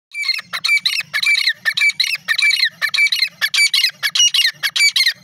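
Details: Grey francolin, known locally as desi teetar, calling loudly: a rapid, steady series of harsh, ringing squawk notes, about one and a half per second, with no other clear sounds.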